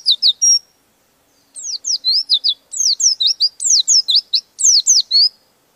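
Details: Oriental white-eye with beak open, rolling its song to agitate rivals: a few quick high notes, a one-second pause, then a sustained run of rapid, bright, descending chirps lasting about four seconds.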